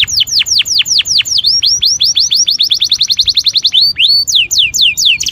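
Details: Canary song played as a lure to prompt canaries to sing and mate: loud whistled notes sweeping steeply downward, repeated about every quarter second, then a fast run of short rising notes and a few longer rising whistles, with no other sounds.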